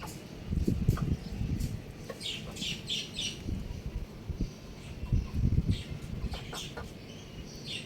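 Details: Young rooster chirping outside: bursts of low, rough clucking notes in clusters, mixed with higher chirps from other birds and a steady background hum.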